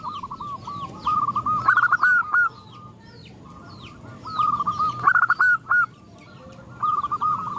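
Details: A female zebra dove calls males and other perkutut join in: overlapping runs of quick cooing notes from several birds, stuttered loud bursts twice, with high chirping of other small birds behind.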